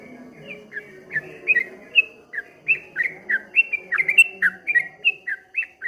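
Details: Streak-eared bulbul in 'ropel ngombak banyu' song, beginning softly and building into a quick, rolling series of slurred whistles that swell and fall like water waves.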